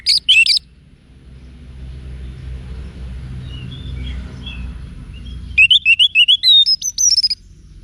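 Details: Orange-headed thrush, wiksar song for cage-bird training: a brief loud whistled phrase, a quiet stretch with faint distant chirps, then a fast rising string of sharp, high twittering notes.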